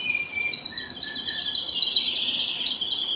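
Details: Canary singing for breeding stimulation: a quick, steady high trill over soft lower tones, changing to louder, slower, bell-like notes about four per second at the close.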